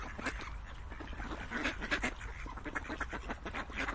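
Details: Ducks quacking in a dense, overlapping chorus of short, harsh, nasal calls repeated in rapid bursts throughout, with a steady low rumble underneath.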